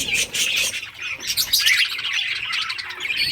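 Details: Several budgerigars chirping while playing in summer breeding season; a continuous busy warble of scratchy, high chatter with quick rising whistles mixed in.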